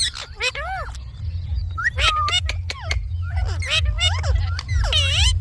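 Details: Indian ringneck parakeet talking with human-like phrasing: arched syllables, short clicks and rising, falling tones strung into speech-like rhythm, backed by a steady low hum.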